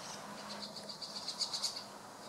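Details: White-cheeked starling flock gathering on a June 2016 afternoon: a quick run of thin, squeaky high notes, about eight in under a second and a half, growing louder, over a low background hum.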